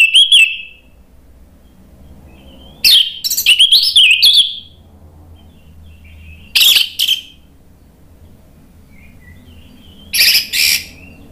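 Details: Orange-headed thrush singing in short separate outbursts, each a quick cluster of sharp whistled notes, with several seconds of quiet and low hum between them; meant to provoke another bird into answering.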